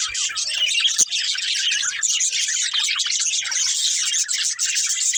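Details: Group of budgies chirping while they play, an unbroken wall of shrill twitters and fast warbling chatter, with one sharp click near the start.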